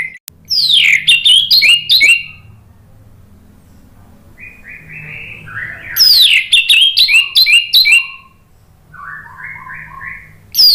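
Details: Orange-headed thrush song for lure training: two loud bursts of rapid, varied whistles and trills, separated by quieter, lower warbled notes, with a third burst starting at the end.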